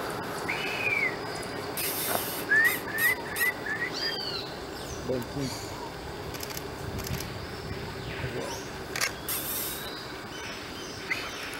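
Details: White-throated Woodpecker (Piculus leucolaemus) in Floresta Nacional de Carajás, Parauapebas, Pará, Brazil, July 2014, giving a quick series of short, squeaky upslurred notes, then one higher note, over forest hum, rustling and a faint voice.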